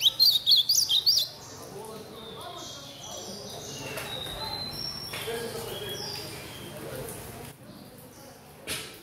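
A young chestnut-bellied seedeater sings a phrase copied from the blue-black grosbeak: about a second of quick, high, bright chirped notes, then only faint background hiss.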